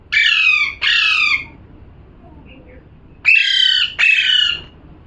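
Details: Two pairs of parrot squawks, loud and grating, each pair of half-second screeches separated by a couple of quiet seconds.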